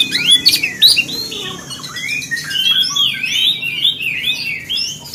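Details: Oriental magpie-robin song meant to provoke other magpie-robins: a continuous stream of fluty whistled phrases, rising and dipping, opening with sharp clicks, over a quiet low background hum.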